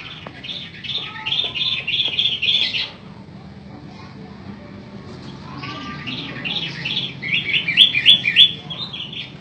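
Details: Long-tailed shrike called matahari, singing hard: a burst of rapid chattering notes, a quiet gap with a soft whistle, then a renewed series of fast rising notes.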